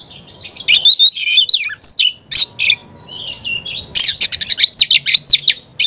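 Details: A loud Oriental magpie-robin sings sharp, high slurred whistles and scratchy chatter in short phrases separated by brief gaps, with a thin sustained whistle in the middle.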